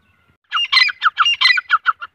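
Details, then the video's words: Grey francolin, male and female calling, a loud harsh squawking series of about nine rapid notes over one and a half seconds, some rising and grating, in a quiet rural setting. "Grey Francolin voice"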